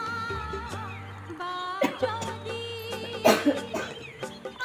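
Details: Music with sustained tones and a sung melody fills the recording, with a few soft percussive hits; no animal call stands out.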